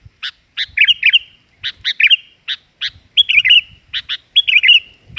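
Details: Sooty-headed bulbul giving short bubbly whistled phrases, each introduced by one or two sharp chips, repeated several times with slight variation and short gaps between.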